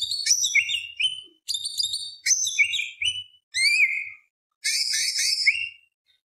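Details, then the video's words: Greater green leafbird in full song, delivering five quick bursts of sharp whistled and chattering notes, each burst ending in a falling slur, separated by brief pauses. "PANCINGAN CUCAK IJO BIAR EMOSI ~ CUCAK IJO GACOR FULL ISIAN ~ Tembak Beset Roll Panjang"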